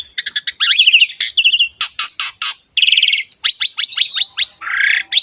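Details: Energetic Asian pied starling song used as a tutor for young or quiet birds, a nonstop jumble of quick chirps, rattles, harsh scratchy notes and slurred whistles with only one brief pause.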